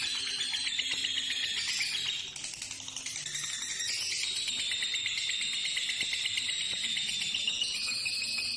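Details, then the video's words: A male lovebird in breeding condition sings an extended, high, rapid chattering song of buzzy and tinkling notes, used to excite other males into breeding condition. Brief denser bursts occur, with a faint low background hum. "Lovebird Jantan Birahi Bunyi"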